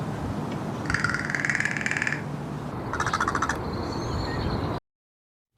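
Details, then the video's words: An American crow gives two dry, rapid rattles, each a burst of quick clicks lasting about a second, over a low background rumble; such rattles are used in social interactions or as alarm calls. "a series of short, rapid clicks or rattling sounds. These are often used in social interactions or as alarm calls."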